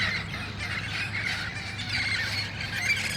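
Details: Dusk gathering of wild red-faced parrots near their roost trees in El Cajon, August 1, 2018; many grating squawks overlap into a constant noisy chorus over a low rumble.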